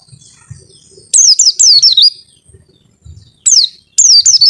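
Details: Long 'wit-witttt' white-eye song, high falling whistles in short bursts of three or four notes separated by pauses, faint low thumps between phrases.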